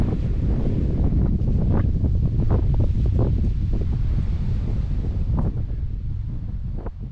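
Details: Steady low wind rumble buffets the microphone throughout, with brief broadband gusts and no animal voices.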